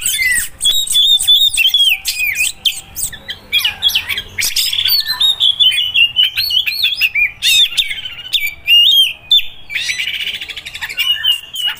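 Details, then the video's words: Oriental magpie-robin of a Sumatran variant, singing a loud, continuous, varied song of rich whistles, sliding notes and rapid chattering trills with sharp clicks, delivered almost without pause. "5 Suara Kacer Sumatera"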